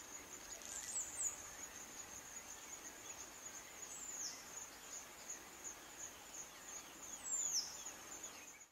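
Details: White-eyed Slaty Flycatcher (Melaenornis fischeri toruensis) in Kibuye, Rwanda, March 2013, giving thin, very high, falling notes about every three seconds over a steady high insect drone.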